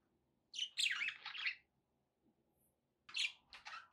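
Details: Caged pet budgies give a rapid, raspy warbling chirp lasting about a second, then silence, followed by a few shorter sharp chirps.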